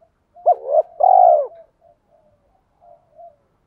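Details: Spotted dove used as a decoy for wild doves, cooing in calling and urging styles: two quick arched notes lead into one long, full, slightly vibrating coo, then faint trailing murmurs fade away.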